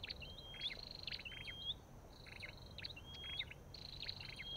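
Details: Olive-backed tailorbird repeating bright upslurred whistles mixed with buzzy trills and clicks over a steady low hiss.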